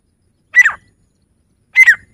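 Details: Grey francolin giving two separate harsh double-note calls about a second apart, each a bright whistle sliding downward, against silence.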